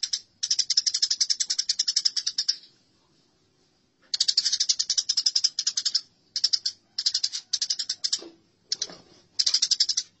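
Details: A fight between house sparrows: a long run of grating chatter, a pause of over a second, then several shorter rapid bursts. Faint low knocks occur near the end.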